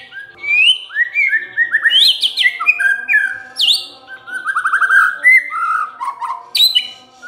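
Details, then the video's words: Song of a White-rumped shama used as a lure to provoke other birds into singing: a rich run of varied whistled phrases, rising slurs and sweeping notes, with a faint steady hum underneath. "MURAI BENGONG LEWATTT❗Pasti NYAUT Dengar Pancingan ini"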